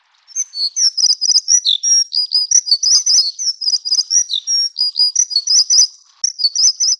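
A Plumbeous Redstart gives a fast, high, thin twittering of scratchy notes that tumble on almost without pause for several seconds.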